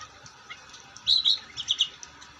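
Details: Long-tailed shrike in lively song: two short bursts of high, squeaky, warbled notes about half a second apart after a quiet start.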